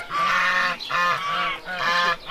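A domestic goose gives three loud, nasal honks, each lasting most of a second.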